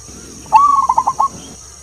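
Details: Wild zebra dove in Tuban forest, Indonesia, giving a local-type long 'klauww' opening: a drawn-out fluted note near one kilohertz followed by four quick throbbing coos, about three-quarters of a second, over faint steady high hiss.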